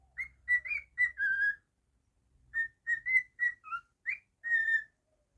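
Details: Pet cockatiel whistling a tune: two bursts of bright, warbling whistled notes, some short and choppy, others drawn out and gently falling, separated by a second-long pause, over a quiet background.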